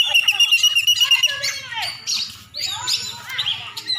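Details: Oriental magpie-robin, a champion bird from Aceh, holds a steady whistled note, then breaks into tumbling chirps and twittered phrases over a faint low pulsing background.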